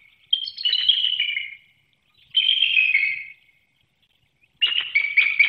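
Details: Male and female bald eagle at a Hanover, Pennsylvania nest, 18 March 2019, trading calls in pre-dawn darkness ahead of an incubation changeover, heard via webcam: three high, shrill chittering phrases, the first two drawn out and falling, the last a choppy rapid chatter.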